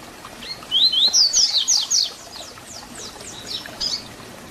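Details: Double-collared seedeater giving its 'Tui Tui Zel Zel' fibra song for young birds to learn; a loud phrase of upslurred whistles and rapid falling strokes, followed by quieter trailing notes.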